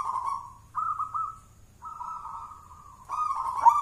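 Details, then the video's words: Zebra dove, a local wild-type bird of the jolotundo style with a thick voice, used as a lure. It gives a string of low, sustained coos broken by short pauses, with a stronger, rising coo at the end. "Suara perkutut lokal jolotundo tebel nembak mental badja,cocok buat pancingan"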